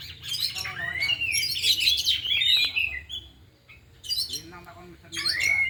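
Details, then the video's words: Oriental magpie-robins (kacer), four kept birds trained together in the afternoon, all singing and showing off their isian fill: rich whistled and chattering phrases, a bright rising whistle near the end, brief pauses, and faint low voices in the background. "Latihan Kacer di Sore Hari Biarpun Hanya Burung 4 Tapi Jalan Semua dan Bongkar Isian"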